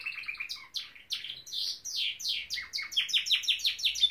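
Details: Norwich canary delivering a continuous run of quick downslurred chirps and rattling trills, the notes repeated in rapid, fairly even series across the whole stretch.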